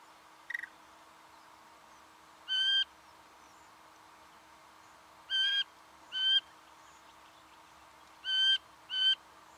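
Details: In Victoria, Australia, November 2011, a singing honeyeater repeats harsh, reedy, buzzy calls in spaced pairs roughly every three seconds, each note short and rich in overtones, preceded by a brief sharp chip and a steady low hum.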